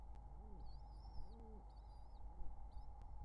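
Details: At a summer 2023 nest of wild pigeons with young, brief low coos are interleaved with drawn-out high thin whistled squeaks, over a persistent hum and small knocks.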